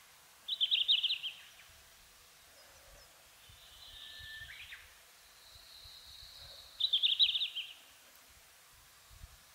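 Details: Red-flanked bluetail song, heard in summer in subalpine zones such as Mount Fuji: two short, bright, high warbled phrases about six seconds apart, with softer drawn-out high notes between, over a quiet background.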